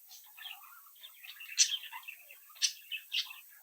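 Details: Young captive budgerigars from a home brood chirping and chattering together; soft warbling notes broken by a few loud sharp chirps, indoors.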